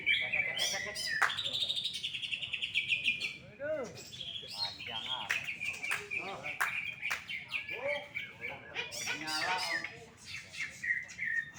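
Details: Greater green leafbird at a singing competition, first-place winner: long sustained high whistles broken by quick trills and rapid chirping runs, overlapping song phrases, faint talk in the background.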